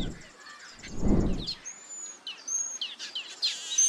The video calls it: Taveta Weaver